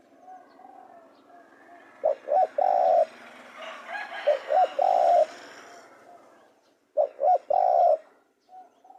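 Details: Spotted dove giving three repeated cooing phrases, each two short notes and a longer throaty coo, over a broad background hiss that swells and fades.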